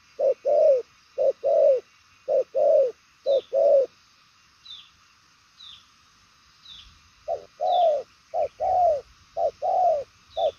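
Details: Cooing spotted dove (đồng son chân tím type), praised for a fast, far-reaching style; soft paired coos, short then longer and falling, in quick runs with a pause, while thin high chirps of another bird repeat.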